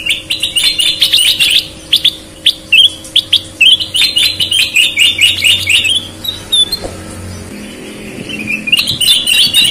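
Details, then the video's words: A sooty-headed bulbul (kutilang) in full song gives a busy, almost continuous run of bright chirps and short whistled phrases over a faint low electrical hum. "Burung kutilang gacor"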